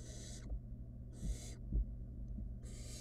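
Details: Inside a nest box, a wild barn owl nestling plays with food its mother delivered, giving three harsh, snoring hisses between soft thuds of movement.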